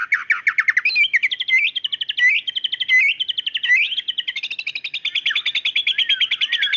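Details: Song of a female white-rumped shama calling the male, a sharp burst said to draw a male into singing: high, fast stream of repeated chirping notes with swooping whistled slurs woven through.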